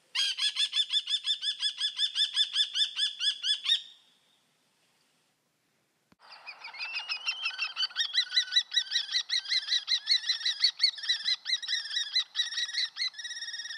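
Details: Common kestrel giving a fast, shrill, ringing series of repeated 'kee' notes, about eight per second for four seconds, then silence, then a longer, more uneven run of rapid piercing notes that rise and fall slightly, in quiet surroundings.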